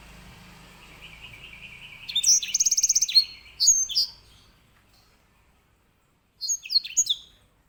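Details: Caged grey singing finch, a bird kept as a song tutor for canaries, gives a burst of rapid buzzy repeated notes and swooping whistles, pauses, then adds a short phrase of high slurred notes.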